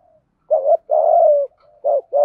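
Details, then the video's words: Spotted dove used as a decoy to entice wild birds, singing the 'gáy gọi một hậu' call: a short coo, then a long, level, slightly falling note, then two more quick rounded coos. "chim cu gáy mồi thúc gù kích bổi hiệu quả/ tiếng chim cu gáy bài bản gáy gọi một hậu"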